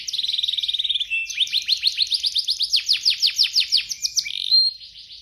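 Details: Fighter-type canary from Indonesia, caged: a quick even trill for one second, then a rhythmic series of loud downward-slurred whistles, ending in a brief buzzy note.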